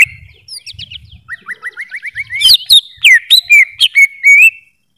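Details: Greater green leafbird in song, giving a run of short upward-sweeping whistles that speed up into loud looping, warbled notes and a final steady trill.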